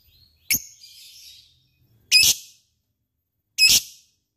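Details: Lovebird giving single shrill ticking calls, the ngetik style of cik cik notes: three sharp high chips spaced about one and a half seconds apart, the first followed by a faint trailing twitter.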